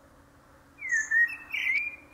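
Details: Common blackbird singing: a short fluted whistle sliding down then rising, followed by a brighter warbled phrase and a faint high twitter, over a low steady hum.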